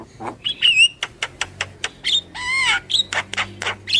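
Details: Javan myna lure call with a very whiny quality: short sharp clicks mixed with wavering whistles and one drawn-out nasal squeal in the middle.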